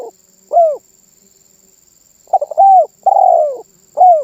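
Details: Spotted dove cooing vigorously, a song said to make other birds call along: one short falling coo, then a quick stutter of notes into a coo, a long burry rolling coo and a final clipped coo; faint steady high whine behind.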